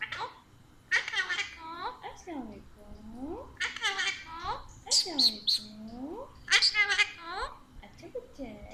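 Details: Chatty pet Alexandrine parakeet talking in Urdu/Hindi: a run of quick, bright, buzzy syllables with sliding lower tones, grouped in several phrases over nine seconds indoors.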